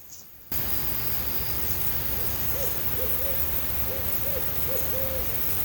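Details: Wild barred owls calling on a calm night near a campsite on Long Pond, St Regis Canoe Area, Adirondacks, with loons also calling: a series of short, arched hooting notes under steady hiss.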